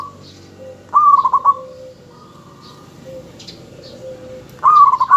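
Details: Local zebra dove cooing to lure other doves into answering: a clear rolling coo of quick stuttered notes on one pitch, then a long soft held tone and lower hoots, the rolling phrase returning near the end; faint chirps behind.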